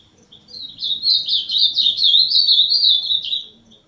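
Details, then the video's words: Ultramarine grosbeak (azulão) singing in the 'máquina' style: a quick, continuous warbled phrase of slurred, rising and falling notes lasting about three seconds, swelling then fading, with a faint low hum behind. "Azulão....canto do azulão....azulão máquina"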